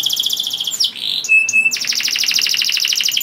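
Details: Vigorous canary singing, intended to raise breeding mood in other canaries; rapid repeated notes, a short slurred dip, a thin pure whistle, then a dense fast rolling trill.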